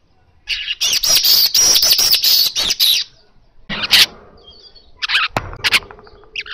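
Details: Asian golden weaver pouring out a loud, natural, energetic song meant to lure kacer birds; two and a half seconds of intense sizzling buzzy chatter, then scattered short buzzes and faint notes.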